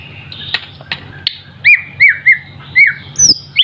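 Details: Young white-rumped shama, not yet in adult plumage but already singing well, gives a few soft clicks, then a string of short, loud whistled notes, each rising and falling, ending in higher sharp flourishes.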